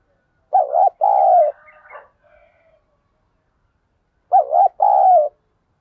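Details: {'caption': 'Spotted dove used as a decoy to stir wild birds to fight, giving two mellow coo phrases: a quick doubled note followed by a drawn-out low coo. Soft trailing murmurs come after the first phrase.'}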